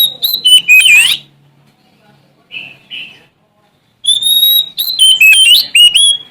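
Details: Sumatran Oriental magpie-robin, male, challenging rivals with song; rich whistled phrases with swooping slurs, a quiet gap with a couple of soft notes, then a long clear whistle leading into fast varied phrases.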